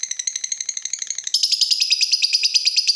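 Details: Chatty lovebird singing, used as a lure to fire up other lovebirds and as a master recording for training: fast, evenly pulsed high chirps that shift into a brighter, denser trill partway through.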